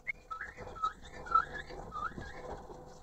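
A male Chinese hwamei gives clear, fluty whistled notes that rise and fall, about two a second, over a low background rumble.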